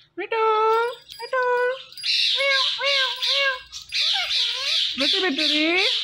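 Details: Talking Indian ringneck parakeet repeating "Mitthu": two clear, voiced, speech-like syllables, then a series of shrill screechy squawks mixed with short bent word sounds, and a final wavering rising-falling utterance.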